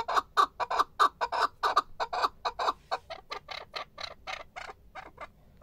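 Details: A male chukar partridge repeats harsh chuck notes in a quick series that gradually grows softer and fades out.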